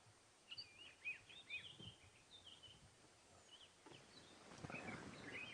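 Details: Dark-capped bulbul on a morning safari drive through the bush, 26 July 2016: short, bright chirping notes in quick uneven bursts, several a second, over a steady outdoor hiss, with a rustle near the end.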